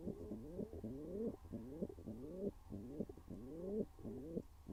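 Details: Courting pigeon pair in a nest box, filmed live: a run of rolling, rising coos repeated roughly every half second, deep and throaty with rich harmonics, in a quiet indoor setting.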